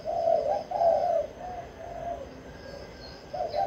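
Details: Spotted dove, a caged bird, giving a low cooing phrase: two stronger coos, then softer fading notes, and a fresh coo at the end, over faint background hiss.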